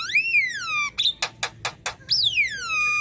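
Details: Black-winged myna chattering song, used for training other birds to sing: two long, loud, rich whistles rising then slowly falling, separated by a short burst of four sharp, evenly spaced rasping notes.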